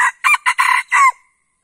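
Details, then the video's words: Red junglefowl crow used as a lure by trappers before entering the forest: one quick, clipped series of five harsh, hoarse syllables over about a second, the last dropping in pitch. "Pikat Ayam Hutan Pakai Suara Ini"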